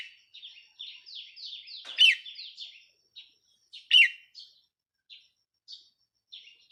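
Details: Red-whiskered bulbul decoy bird, recorded 4 May 2023: a rapid chain of downslurred whistles with two loud, emphatic phrases about two seconds apart, followed by scattered softer notes.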